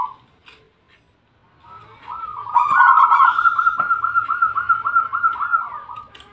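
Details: A Bangkok-type zebra dove (perkutut) delivers a soft, rapid rolling coo, a burbling trill of quick staccato notes held for about four seconds, with a few faint clicks nearby.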